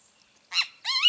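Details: Loud, harsh phrase from a Great kiskadee (Pitangus sulphuratus): a short buzzy opening note, then a drawn-out, ringing, gently arched second note, against a quiet backdrop.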